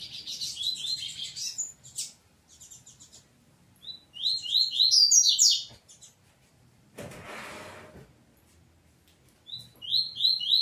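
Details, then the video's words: Double-collared seedeater in a family squabble: bursts of high, thin, rapid chirps and downslurred notes in clusters, a loud broadband scraping rustle near the middle, then more sharp chirp series. "Coleiro Peteteu Briga com Família"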